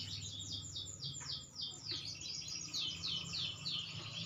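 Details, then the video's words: Green canary singing softly at a distance, a series of repeated sweeping notes about three per second over a steady low hum. "burung kenari hijau makin dewasa wakin baik kicauan nya"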